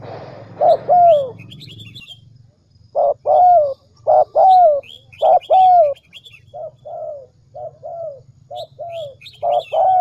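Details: Dove lure call for attracting doves: series of mellow downward coos, some paired, some single and shorter near the end, with high twittering of small birds and a low background drone early on.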